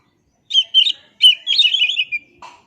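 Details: Oriental magpie-robin delivering a quick, loud song burst: clipped whistled notes running into a rapid, trilling warble, ending with a soft low note.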